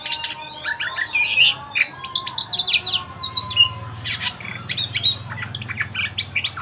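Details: Oriental magpie-robin from a pet-bird training recording: a dense, continuous chatter of short, clipped whistles and squeaky notes, rapid and varied throughout, moderately loud.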